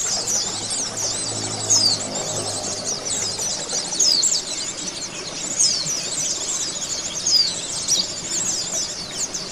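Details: Oriental white-eye therapy song for caged birds: a nonstop rush of high, sibilant twitters and slurred whistles from several birds, with a faint low hum underneath during the first few seconds.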